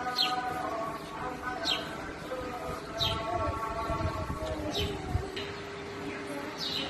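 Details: House sparrow chicks begging as a parent feeds them: short, high, downward-sweeping chirps repeated about every second, over a steady low hum and faint tonal background sounds.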